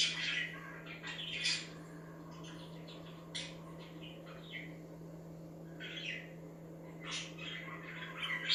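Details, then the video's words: Budgies chirping, said to stir other budgies into activity; scattered short bright chirps and scratchy warbles come in bursts separated by quieter gaps, over a steady low electrical hum. "Budgies Chirping Sound That Make Other Birds To Be Active"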